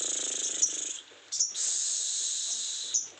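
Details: Sogon bird in strong breeding condition, giving a high, thin, buzzy trill sustained for over a second, broken by a short pause and sharp chips, with a faint low rattle at the start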